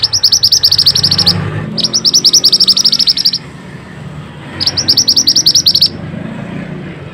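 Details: Mantenan singing for masteran training: three loud bursts of rapid, metallic high chirps, each over a second long, with brief pauses between and a low background hum.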